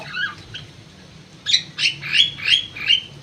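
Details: Crewet bird held in an aviary: a soft scratchy note, a pause, then a rapid series of five rasping, buzzy calls roughly three per second.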